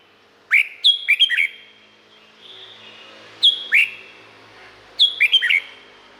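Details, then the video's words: Thai cage-bird Red-whiskered bulbul repeats a lively whistled phrase three times, each a quick run of three to four sweet slurred notes, with short gaps and soft echoing tails between phrases. "เสียงนกกรงหัวจุก สำหรับต่อ หรือ เปิดให้นกคึก เสียงเพราะๆ"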